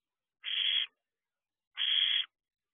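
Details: Owlets of barn owl peering from their nest box door at 4:24 am, 6/2/23: two loud, breathy, noise-like screeches of about half a second each, a little over a second apart, with silence between.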